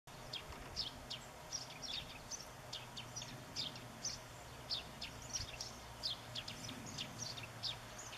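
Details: European greenfinch family taking sunflower seeds on 14 September 2014 while a young bird is fed; short, high chirps come in quick uneven bursts through the clip over a faint low rumble of background noise.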